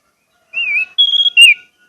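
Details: Orange-headed thrush lure song meant to prompt quiet birds to sing: a brief phrase of three pure whistles, a wavering note, a level higher note, then a falling slur, with silence before and after.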